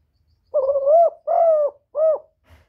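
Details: Loud-voiced spotted dove cooing: one clear phrase of three low, hollow, slightly wavering notes, the first longest and the last short. No other sound in the background.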